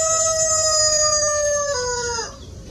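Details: Rooster at a chicken farm holding a loud, steady crow note, then a lower stepped tail that slides down and stops, leaving quiet background.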